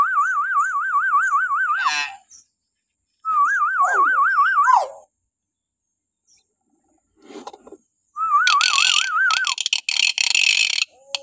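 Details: Common hill myna giving shrill morning calls, used as a lure to train young captive mynas: bursts of rapidly wavering whistled notes, pulsing several times a second, separated by pauses, then a harsh, noisy, broadband stretch of rasping sounds.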